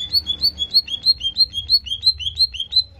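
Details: Greater green leafbird in a contest-simulation recording meant to rouse other birds' aggression: clear whistled notes alternating between two pitches, repeated about three times a second in a steady, rolling series.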